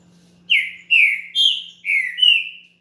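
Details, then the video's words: Champion green-winged saltator song, played to warm up another saltator: five strong, clear whistled notes in quick succession, each sliding downward, the fourth and fifth forming a rising-then-falling pair, over near silence. "ESQUENTE SEU TRINCA FERRO RÁPIDO NO CANTO DE UM CAMPEÃO"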